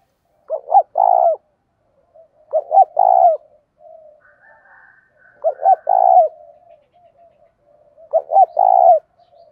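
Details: Spotted dove, a decoy bird provoking fighting, giving repeated three-note coos: two short notes then a longer drawn-out coo, every two seconds or so, with soft murmuring between phrases.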